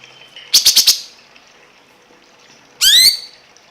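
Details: Cungkok heard in a masteran song-tutor recording. A quick burst of four sharp, loud notes is followed by a pause, then a rising, harmonic, slurred call with a brief rattling edge.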